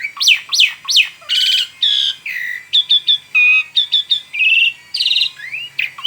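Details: Vigorous song of an Asian pied starling, meant for tutoring: swooping rising whistles, harsh rattles, clipped repeated notes and buzzy trills follow one another rapidly, a rich varied medley with quiet gaps between phrases.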